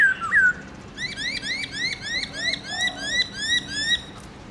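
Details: Black-throated laughingthrush, morning 'forest voice' song with many notes: a looping whistle, then a rapid steady series of bright upswept chirps, about three per second, for several seconds.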